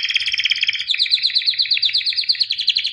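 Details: White albino canary, a 2017 champion, in song training: an unbroken rolling trill of rapid bright notes, slightly changing pitch and pace partway through.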